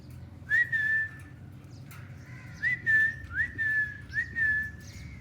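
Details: Pet Alexandrine and ringneck parrots feeding outdoors give a run of five clear whistles, each starting with a quick upward hook and then holding steady. The whistles come in short bursts against low background hum.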